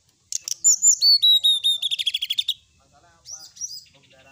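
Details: Sooty-headed bulbul in full night-time song used as a tutor recording, packed with fill phrases: clear piping whistles, then an accelerating series of short buzzy notes ending abruptly, followed by quieter high slurred whistles.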